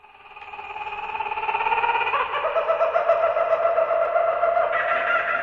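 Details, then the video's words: Laughing Kookaburra, an Australian bird known as the laughing jackass, gives loud, rapid chuckling that builds from a quiet start into a steady, raucous run of harsh, hooting, maniacal laughter-like notes. "The kookaburra has acquired the name laughing jackass for its strange, loud, slightly maniacal call."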